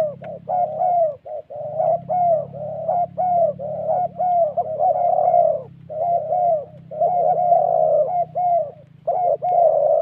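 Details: Spotted doves in Vietnam's Central Highlands forest, linked to decoy trapping, in a "thổ" coo: near-continuous stream of soft hollow hoots, slightly falling, with brief breaks between clusters.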